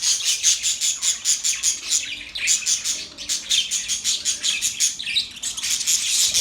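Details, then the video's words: Budgerigars chatter steadily, with bright, high chirps pulsing roughly every half second over a constant bed of warbling. "Budgies chirping sound"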